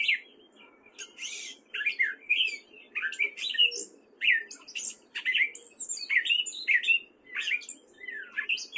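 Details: Male gray catbird singing in spring at Fairfield, Iowa, wary of people: a run of varied squeaky, slurred phrases with short pauses between them, some notes rising and others falling, over faint low background hiss.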